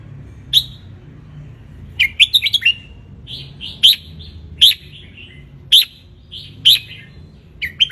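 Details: Sunning wild Ratchaburi red-whiskered bulbul sings for young birds to learn from: clear fluty whistled phrases, a rapid chattering run near the start, then regular bright two-part phrases about once a second.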